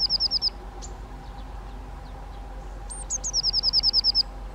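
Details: Eurasian nuthatch (Sitta europaea) calling in quick runs of clear, high whistled notes, a short burst at the start and a longer even series of about ten notes near the end, with a few sharp upslurred notes between.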